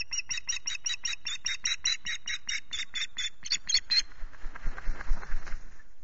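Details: Ospreys at the Loch Garten nest, 19 April between 07:00 and 10:00, calling during an intrusion at the nest: a rapid run of about fourteen sharp, harmonic chirps over four seconds, followed by rustling and wind noise.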